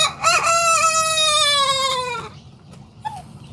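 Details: Sanjak cockerel beginning to crow, a long rich harmonic crow lasting about two seconds, gently falling in pitch toward the end, followed by faint short chirps and quiet background.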